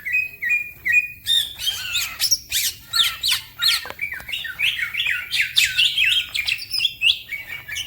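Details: Fast green leafbird song used to train other birds, which also sing; opens with three evenly spaced whistles, then bursts into a dense rush of sharp chips and slurred notes.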